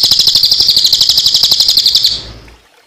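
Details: Cililin delivering a tembakan-style song meant as training material for songbirds: a dense, rapid, high-pitched trill of evenly pulsed notes lasting about two seconds, then fading out.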